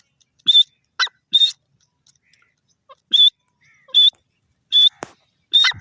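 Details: Francolin, known locally as dakhni teetar, calling while feeding: seven loud, harsh, grating notes in short bursts, some doubled, spaced roughly a second apart with quiet gaps between.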